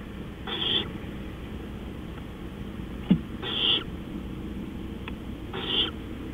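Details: Owl at night, 20 April 2013, around 3:15 AM, giving three short, breathy hissing screeches spaced about two and a half seconds apart over steady background hiss, with a single sharp knock between them.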